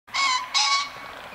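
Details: Green pheasant giving a single call: two loud harsh bursts, each about a third of a second, with strong stacked harmonics, the second slightly shorter, then quiet.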